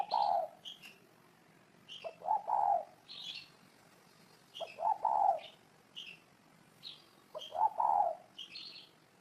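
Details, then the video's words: Low hollow coos of a spotted dove repeated every couple of seconds, each phrase a short note then a swelling longer one, over a busy background of high bright chirps from small birds. "Tổng hợp tiếng chim cu gáy hay năm 2018"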